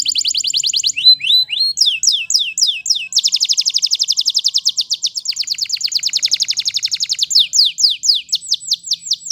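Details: Wild canary song: high trilled phrases in quick succession, falling swept notes repeated about four per second, a long fast rattling roll, then slower looping whistles.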